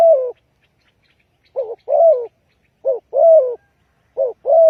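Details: Lure call of a spotted dove, used to draw birds for trapping. Phrases of two brief rising-falling notes and a drawn-out falling coo come about every one and a half seconds in a quiet setting.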